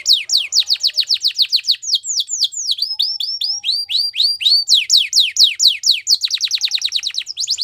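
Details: Belgian canary singing for canary training: tours of rapid, sharply downslurred whistled notes, each phrase repeating one syllable several times before switching to a new, slightly higher or lower note, in a steady bright stream with no other sounds.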